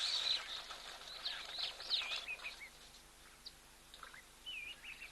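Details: A flock of wattled starlings, out of breeding plumage, drinking at an African waterhole among zebras and elephants on 7 July 2024, gives a busy run of high, squeaky, wheezy notes, thinning to scattered whistled slurs.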